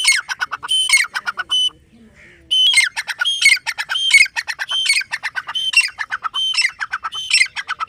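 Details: Series of strident, squawking grey francolin phrases, each a quick burst of harsh notes with a ringing end, repeated rapidly and broken by one short pause before continuing.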